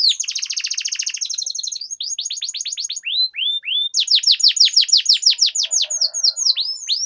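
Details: Canary lure song in the rolling style used as a training model for young birds: a fast buzzy trill, then a run of sharp downslurred whistles about three per second, closing with more rapid sweeping notes.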